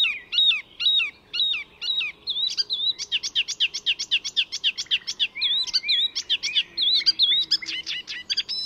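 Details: Icterine warbler in full mimicking song at Fysingen, north of Stockholm: nonstop chatter of repeated whistled phrases, fast harsh notes several per second and wavering twitters, barely pausing.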